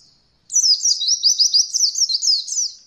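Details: Oriental white-eye singing for a beginner bird training recording: after a short quiet start, one continuous burst of fast, high, tumbling twittered notes, rolling steadily to the end.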